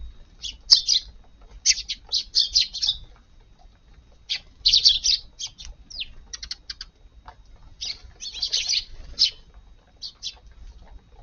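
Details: Garden visit by Eurasian tree sparrows for breakfast, early on a July 16 morning following rain. High, clipped chirps come in bursts of three to six with short quiet gaps between them.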